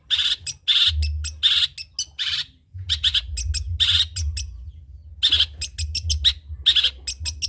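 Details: Long-tailed shrike, trotol type, sung as tutor material for other birds to imitate: loud, harsh grating bursts alternate with quick sharp ticks, in irregular clusters separated by short gaps.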